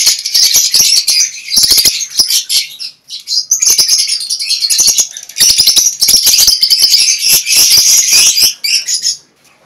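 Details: Lovebirds bred in a colony cage, a dense shrill chattering of many birds, harsh high chirps overlapping almost continuously with brief pauses and wing flutters.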